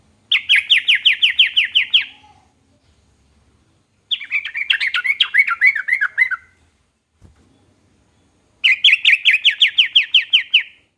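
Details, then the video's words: Yellow-vented bulbul, called trucukan, in song said to make any trucukan answer straight away: three loud bubbling chatter phrases, each about two seconds long, separated by pauses. "burung trucukan manapun langsung nyaut dibuatnya"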